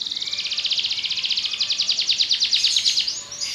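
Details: Belgian canary song made of a rapid, even trill of high buzzy notes held for about three seconds, rising slightly at the end into a brief higher flourish.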